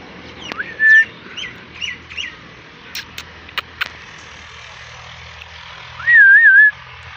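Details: Parrot whistling: a short rising whistle, soft chirps and clicks, then a long wavering whistled note, with a steady low hum throughout.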